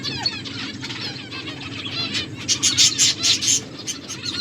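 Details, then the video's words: Finches eating food chirp in quick high tweets, ending in a louder burst of repeated sharp notes near the close, over faint background hum. "Beautiful finches eating food birds chirping sounds"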